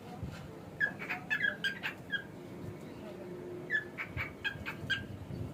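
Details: Male pet cockatiel giving quick series of short harmonic whistled notes, clustered in bursts with brief pauses, over steady low background noise indoors.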